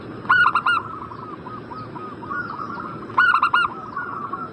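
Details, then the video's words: Zebra dove cooing used to get a breeding-condition bird to answer: a pair of quick four-note ringing bursts nearly three seconds apart, with gentle warbling filling the gaps. "Pancingan burung perkutut Agar Cepat Nyaut"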